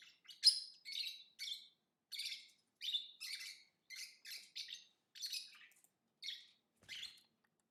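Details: Lovebird chirping in a steady series of short, squeaky, harsh notes, many in pairs, spaced under half a second apart, with a clean silent background.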